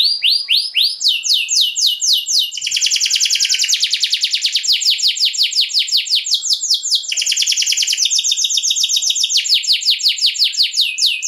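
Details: A canary singing a long luxury song, used to trigger other canaries, strings together trill after trill of rapid high rolling notes, alternating between slower curved whistles and dense buzzy stretches without pause.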